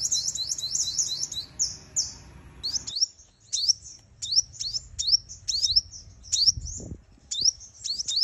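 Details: Female sunbird decoy call used in trapping to provoke males into wing-slashing fights: a rapid, high chattering trill for about three seconds, then sharp upswept chips spaced roughly twice a second, with a faint low hum underneath.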